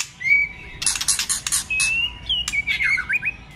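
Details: Competitive many-voiced song from a White-rumped shama meant to provoke rivals: a sustained thin whistle, then a burst of harsh scratchy clicks, then further high whistles ending in quick looping notes.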